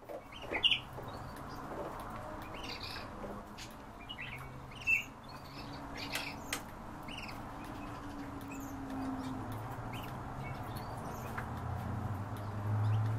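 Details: European bee-eaters give short, liquid rolling chirps, scattered and mostly faint, with two louder notes early on, over a steady low rumble.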